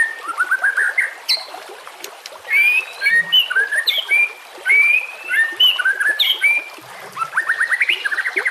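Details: White-rumped shama singing over a steady background of trickling water: a varied run of clear whistles and sharp chirps, rapid ascending trills at the start and end, with short phrases bunched between them.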